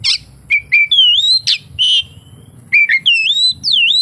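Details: Oriental magpie-robin song full of kapas tembak mimicry, made of clear, loud whistles: short flat notes, rising slurs and a long, gently wavering whistle, ending in dipping, rising sweeps.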